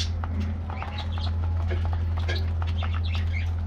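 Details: Morning treat time for a colorful budgie colony in an aviary: short squeaky chirps and little rising warbles from several birds, backed by a heavy low hum.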